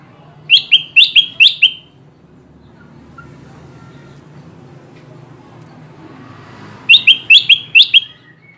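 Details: Two short bursts of four quick, sharp bulbul chirps, separated by about five seconds of quiet hiss, meant to draw wild kutilang emas bulbuls to a trap.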